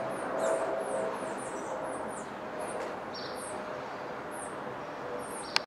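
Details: Swallow-tailed hummingbird with its chick giving very high, thin, rapid chips, several each second, with a few lower squeaky notes, over a steady background rumble like distant traffic.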